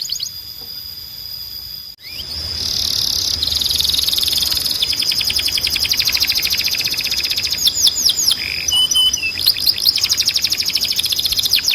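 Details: Canary singing tutor recording: after a quiet start and a brief dropout, a dense, continuous high trilled song builds, with rapid repeated notes and scattered sharp sweeps toward the end.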